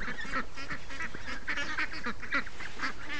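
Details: A morning flock of free-range ducks calls in quick, rhythmic bursts of harsh quacks, several birds overlapping in a steady, busy chatter.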